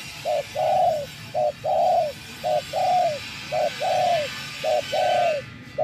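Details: Spotted dove used as a decoy in bird trapping, tamed after days in nature; five rhythmic pairs of low coos, a clipped note leading into a longer swelling one, repeated regularly against light background hiss.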